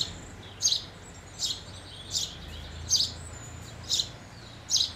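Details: House sparrows, birds fed near houses, give short bright chirps about once every second, rising and falling in loose succession over a quiet, steady background hum.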